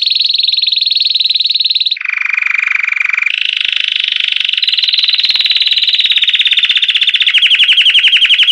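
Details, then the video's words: A Belgian canary sings a continuous, rapid trilled song in distinct tours, shifting from a high rolling trill to a lower one, then back up into fast pulsed rattles. "canário belga cantando"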